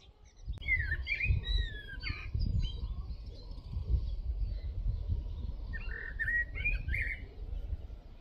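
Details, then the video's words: Common Blackbird singing at dawn from a walnut tree where it sings every morning and evening, probably nesting nearby; two mellow, fluting warbled phrases, the first at about one second and the second around six to seven seconds, over a low rumbling background. "na orzechu śpiewa Kos"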